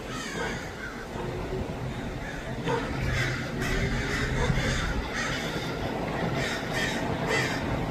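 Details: Many crows in Los Angeles calling together: scattered harsh, raspy caws overlapping in loose bursts, strongest in the middle and near the end, over a constant low rumble.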